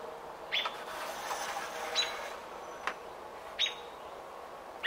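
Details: Robin during nesting, day 28, recorded June 5, 2018. Sharp, high chirps come singly, about every one to one and a half seconds. Faint background hiss.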